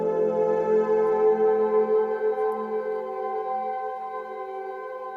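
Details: Soft ambient music of sustained, ringing tones swells gently, with no animal sound anywhere.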